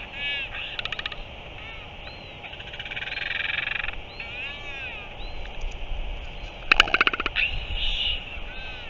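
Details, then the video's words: Northern royal albatross recorded on 05.03.2023: harmonic calls in short arched notes, a stuttering pulsed burst near the start, and a loud rapid rattling burst followed by a strained harmonic cry, over steady low background noise. "Northern royal albatross"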